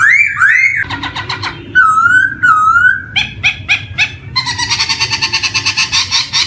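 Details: Black-throated laughingthrush song as a lure for young birds beginning to sing: rising whistles, harsh chatter bursts and level whistled notes, ending in a long grating rattle.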